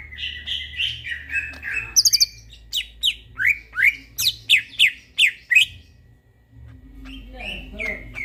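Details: Night song of a greater green leafbird: varied whistles, then a bright series of about ten loud downslurred notes repeated quickly, a short pause, and softer warbled phrases at the end.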